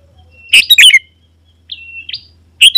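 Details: Sooty-headed bulbul used to attract wild bulbuls: a bubbly chirp cluster, a drawn-out thin whistle with a rising flick, then another burst of chirps over a low hum.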